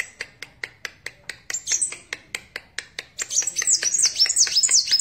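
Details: Sunbird (kolibri wulung) ticking with sharp dry clicks about three per second, then bursting into a fast, very high, scratchy twittering song in the final seconds.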